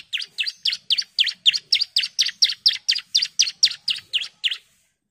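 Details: Female bar-winged prinia calling the male, a steady series of about seventeen loud, high, sharp chirps, evenly spaced, roughly three per second, in a clean recording.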